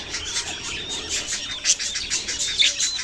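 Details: Baby budgerigars chirping: busy, high-pitched twittering with short squeaky notes that rise and fall, overlapping almost continuously and swelling in loudness every second or so.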